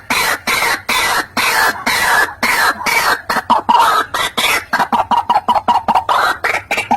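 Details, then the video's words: White-breasted waterhen lure call used for trapping: dense run of harsh, croaking notes repeated rapidly, speeding into short clipped pulses toward the end, with a faint wavering tone around the middle. "SUARA PIKAT BURUNG RUAK RUAK AMPUH SUARA JERNIH"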